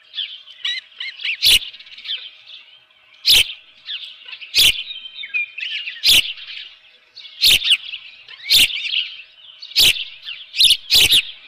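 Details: Morning scene at an osprey nest with a live fish, June 2018: a continuous stream of high, slurred chirps beneath regular loud clicks and thumps.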